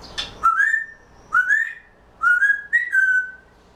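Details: Grey parrot kept as a pet, quietly vocalizing before a nap: four clear whistled phrases, each rising then levelling off, repeated about once a second, preceded by a brief harsher note, indoors with no other sounds.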